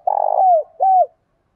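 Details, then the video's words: Single phrase from a spotted dove in 'thổ pha đồng' voice, singing to provoke fighting for decoy training: a low vibrating coo sliding downward, then a short arched coo, clean and close. "tieng cu gáy giọng thổ pha đồng, hot thúc đấu, dùng tập bổi"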